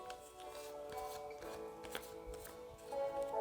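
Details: Sustained musical tones with light scraping and handling noises indoors; no animal voice is heard.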